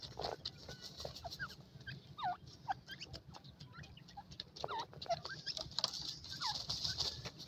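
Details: Young partridge chicks (tetar) in a forest in Iran during a race contest, giving many short, down-slurred peeps in quick irregular succession over a steady background hiss and scattered clicks.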